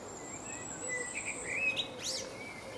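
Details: Common blackbird, a male singing on a tree branch in England, gives clear, mellow whistled notes that lead into a sharp, squeaky high twitter, against a steady high thin background tone.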